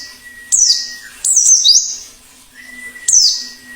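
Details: Plengi ngalas white-eye, a wild bird used to lure others and spur singing: three separate high, sharply descending sweeping notes with pauses between them, over a thin steady whistle-like tone and a faint low hum.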